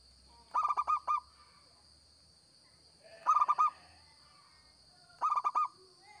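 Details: Local zebra dove singing lively, suited as a lure for trapping: three quick bursts of four to five rolling, staccato coos, one every two to three seconds, over a steady thin high-pitched electronic whine.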